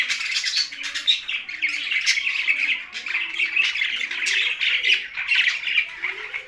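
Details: Many budgerigars living alongside parrots in Larkana, Sindh, producing nonstop chirruping and scratchy warbled chatter, with soft low murmuring notes faintly beneath.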